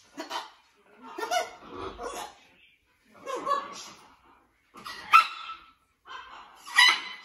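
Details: Inky, a male blue-and-gold macaw adapting to his new flock at a parrot rescue, chatters in raspy, speech-like bursts about a second apart, with two sharp, high squawks near the end.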